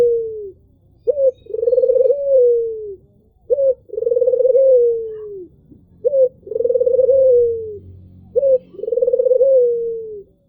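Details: Albino Barbary dove giving a low, mellow coo. A brief sharp upward note leads into a sustained, softly falling coo, and the phrase is repeated four times at a steady, unhurried pace with nothing else heard.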